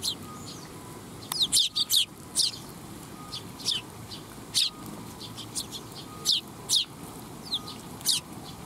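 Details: Flock of Eurasian tree sparrows arriving for food at a Tenmangu shrine, 12 July 2021: bright, short chirps scattered through the recording, some in quick pairs, over a low background hum.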